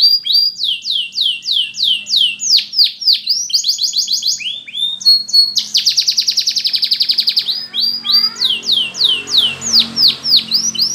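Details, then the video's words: Spanish Timbrado canary training song with repeated falling swoops, bright buzzing rolls and a long rapid trill in the middle, followed by more swooping notes over light background hiss. "Spanish Timbrado Song For Training"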